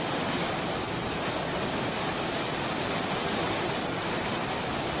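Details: Steady broadband rushing like wind or surf, with no animal call.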